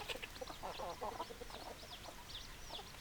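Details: Chickens give irregular clucks in quick bursts, mixed with higher chirping notes, over a steady hiss of background noise.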